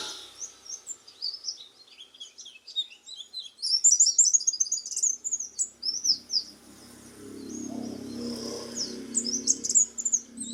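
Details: Oriental white-eye in lively, sustained song: rapid high-pitched twittering and thin slurred whistles tumbling over one another almost continuously, with a low rumbling background noise midway.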